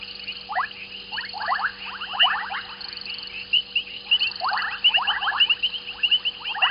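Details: Group of white-faced whistling ducks at Gowrie dam waterhole, Djuma, South Africa, in the evening; loud clustered whistles in bursts, high clear whistles above, a faint buzzing insect-like trill now and then.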